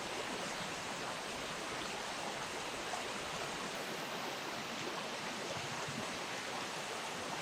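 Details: Continuous broadband roar of flowing river water in autumn, even and unbroken, with no animal voices.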